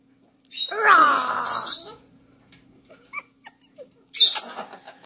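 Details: A pet macaw and a person trade a drawn-out, growly "rawr" as a morning routine, followed by short clicks and a harsh, raspy squawk burst near the end.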